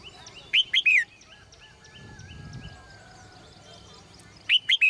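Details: Morning calls of a caged female bird: a burst of three sharp rising-falling chirps, a pause with faint twittering and a low rumble, then another chirp burst at the end.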